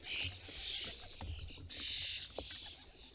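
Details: European starling calls at a UK feeder while parents feed fledglings: loud hoarse, hissing bursts in three long pulses, with light knocking sounds from the feeder between them.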